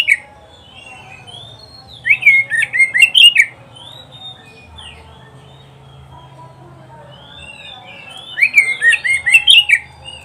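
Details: Oriental magpie-robin (kacer), recorded in Indonesia as a master recording for training pet birds to sing, gives two bursts of rapid, varied whistled and chattering notes separated by several seconds of quiet, with faint low hum behind.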